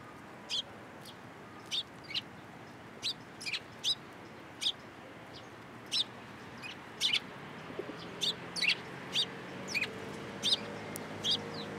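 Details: Sparrows hopping onto a hand for food at a Tenmangu shrine, 13 April 2023: a long run of short high chirps repeated every second or so, becoming busier toward the end, with a faint low hum behind.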